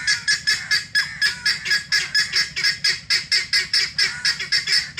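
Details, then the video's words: Free-range helmeted guineafowl searching for food give harsh, grating cackles in a fast, uneven run of about twenty notes over five seconds, each note a rasping burst with a deep rumble beneath. "GUNea Fowl Saund and searching feed free range"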